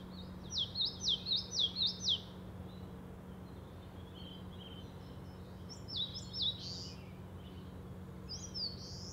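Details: Eastern crowned warbler in Shari, Hokkaido, Japan, giving a fast string of six sharp, high, wavering notes. A pause follows, then softer, scattered buzzy phrases, with a faint continuous low hum throughout.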